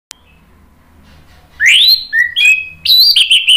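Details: Orange-headed thrush song used to stimulate other birds to sing: a loud rising whistled slur, then a lower flat note and a run of high warbled phrases after a second and a half of quiet.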